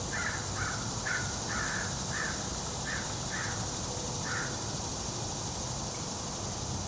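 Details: Fish crow at the feeders at Eagle Creek, where it is eating corn; short, harsh caws repeated about eight times over four and a half seconds, then quiet, over a steady broad background hiss.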